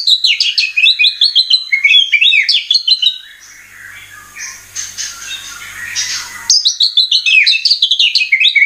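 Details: Oriental magpie-robin song used as a lure to make birds sing: fast high twittering phrases of varied chirps, a quieter stretch of soft notes with faint low hum, then the quick bright phrases resume.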